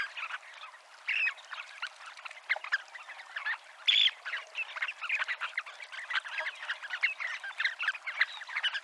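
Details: Dunlin on the seafront promenade at Abruñeiras, Noia, on the Ría de Noia: a dense, continuous chatter of many overlapping short, rasping and twittering notes from a flock, with a brief clearer whistled note near the middle.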